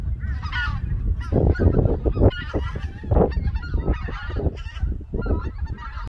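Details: White-fronted geese leaving their roost at Togo Reservoir, Cheorwon, central Korea, on a winter morning to feed on the Cheorwon Plain. A dense, overlapping chorus of loud, yelping honks from a flock, with a low rumbling background.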